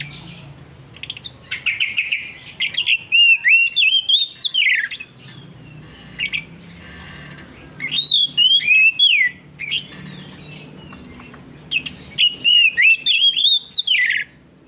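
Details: Oriental magpie-robin singing ngeplong ngotot: three loud phrases of rich, wavering whistles that rise then drop steeply, repeated about every five seconds, with short quieter notes between them.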